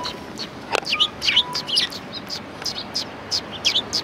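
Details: A busy flock of sparrows near a Tenmangu shrine, 4 March 2020, chirping almost constantly in overlapping tweets and short twittering runs against light background noise.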